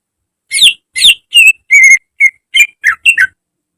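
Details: Caged greater green leafbird singing in a training recording. Eight loud, clear whistled notes in quick succession, some steady, some sliding downward, over about three seconds.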